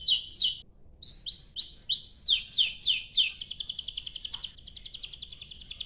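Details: Lure song of a canary to set other canaries singing: paired high notes, a series of rising whistled slurs repeated about twice a second, then a long rapid rolling trill.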